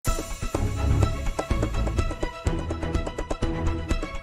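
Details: Bowed string music with plucked, rhythmic notes over a low bass, and no animal sounds.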